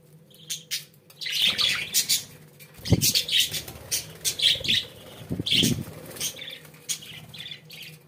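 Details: Home-kept budgerigars sing a busy, chattering warble of quick chirps and harsh squawks, mixed with wing flutters and soft thuds, over a faint steady hum.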